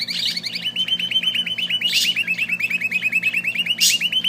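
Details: Small bird singing a fast, even trill of sharp chirps repeated about three times a second, each note dropping slightly in pitch, with brief higher bursts of sound over a low steady hum.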